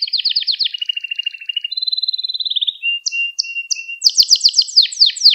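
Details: Canary song recorded for training young canaries: rapid buzzy rolled trills, then a smooth steady trill, then brief high whistled notes and quick sharp repeated chips climbing higher toward the end.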